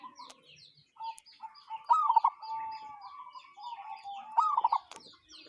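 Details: Local zebra dove with a strange call: two bursts of rapid, bubbling notes, each rising then falling quickly and joined by a long, even, mid-pitched tone, while other small birds twitter above.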